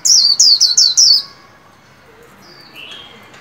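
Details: Caged white-eye in training, sung at the new year: a burst of five loud, high, descending whistled notes in quick succession, then faint thinner whistles after a pause.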